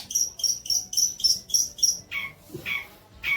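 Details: Long-tailed shrike song recorded as training material for young birds: seven quick, piercing high whistled notes in an even row, followed by three slower, lower harsh rasps.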